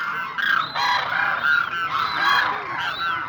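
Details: Dense chorus of demoiselle cranes (koonj): loud, nasal honks with strong harmonics follow one another quickly. Some notes bend upward and then drop, with barely a pause between calls.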